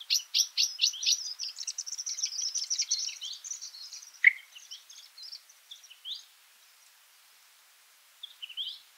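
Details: Feeding party of varied sittellas chattering in high, quick chips that thin out into scattered notes, with a single lower note from a nearby singing honeyeater, near Mannum, South Australia.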